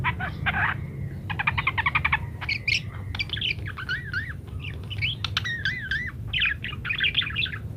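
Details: Actively singing parakeet, recorded so munias learn to chatter fast; rapid rattling trills alternate with sliding, wavy whistles and squeaky chirps in a busy, varied stream, with a low steady hum beneath.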